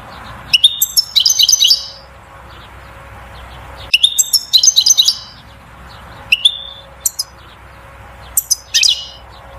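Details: European goldfinch, 'batbata' song to spur the female to pair and build a nest: repeated phrases of sharp clicks and bright, rattling twitters, each phrase a second or two long, with quiet gaps between.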